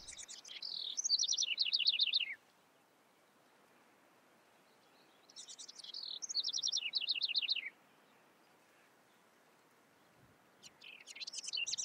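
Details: House wren repeating its song roughly every five seconds, three phrases in all, each a fast chattery burst of high notes tumbling down into a quick descending trill, with quiet pauses between phrases.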